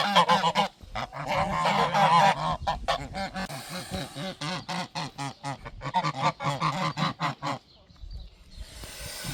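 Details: Alarmed geese defending their garden territory utter a fast series of short, harsh honks, loud at first, then thinning into scattered calls before fading toward quiet.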